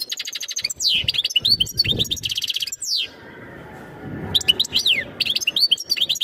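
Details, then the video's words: European goldfinch pouring out a mating song to ready the female for breeding. Fast buzzy trills and steep downward whistles, a short pause near the middle, then the lively twittering resumes. "تغريد الحسون نذاءات التزاوج لتجهيز أنثى الحسون"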